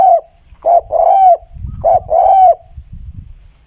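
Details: Spotted dove cooing clearly: two short low coos, then a longer drawn-out coo that dips at the end, the phrase given twice, with faint low rumble between.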